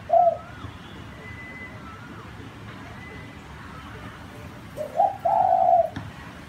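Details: Cooing of a zebra dove: a short coo at the start, then after a pause a short note running into a longer, sustained coo. Faint high whistles of other birds sound in the background.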